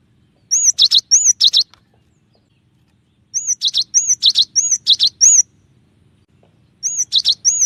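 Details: Cinereous tit (gelatik batu) singing a clear 'tembakan' variation song used as a training recording for songbirds: three bursts of sharp, high whistled two-part notes, each burst a quick run of chirps separated by short silences.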